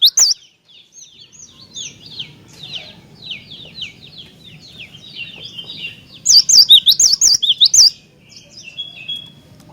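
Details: Cinereous tit singing energetically to provoke other tits: after a long stretch of soft chirping from other birds, a loud phrase of about eight sharp, wavering whistles in quick alternating pairs.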